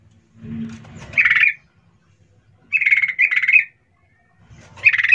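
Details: Chattering sooty-headed bulbul, its lively call intended to draw a fast answer from other bulbuls: harsh, buzzy rattled bursts, one doubled, spaced about a second and a half apart, with a soft low rumble at the start.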